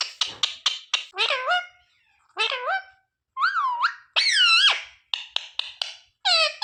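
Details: Parrot mimicking speech, said to say "sita-ram", "jay shree ram" and "mummy papa": rapid clicks, then several rising and falling nasal, word-like syllables with strong overtones, separated by short silences and ending in more clicks.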